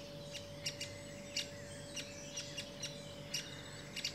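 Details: Great spotted woodpecker with its young: short, sharp, high clicks at uneven intervals, sometimes in quick pairs, against a faint steady hum.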